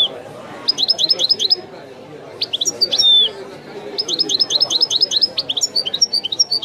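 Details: Tape recording of a European goldfinch performing Widani-style song, the authentic style: rapid bursts of high, tinkling repeated notes, a drawn-out descending whistle midway, then a long, dense series of quick chirps over soft background hum.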